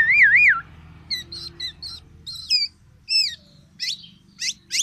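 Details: A tame black-naped oriole in full song. It opens with a loud wavering whistle that rises and falls several times, then gives scattered short upswept notes and harsher bursts separated by brief pauses. A faint low hum runs underneath.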